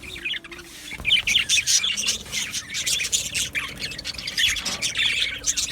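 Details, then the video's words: Budgerigar aviary colony, Australian budgies, 12 July 2025: steady overlapping chirping and chatter in pulsing waves, with squeaks rising above a busy warble. "Australian Budgie Chirping Sounds"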